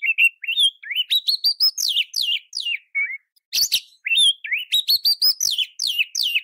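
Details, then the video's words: Magpie-robin (kacer) master song for training: a fast phrase of whistles stepping upward into descending sweeps, a brief pause with a harsh note, then the same rising phrase repeated. "Masteran & Terapi Kacer Bongkar Isian Kacer Manapun Bakal Nyaut Emosi Dan Gacor"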